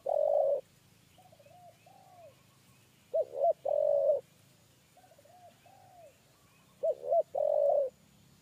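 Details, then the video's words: Spotted dove, a three-note 'kuk 3' cooer, pursued during bird trapping and entering a trap cage. It gives mellow cooing phrases, two short bowed notes then a long steady coo, repeated about every 3.5 seconds, with softer quiet coos in between. "TEKUKUR KUK 3"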